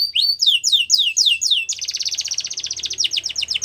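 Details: Yellow canary singing in the wild: a series of loud, swooping downward whistles, then a dense, buzzy rolling trill of fast repeated notes.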